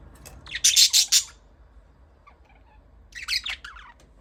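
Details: Budgies give two bursts of loud, harsh, rapidly repeated high chirps, the second softer and more warbling, separated by near silence.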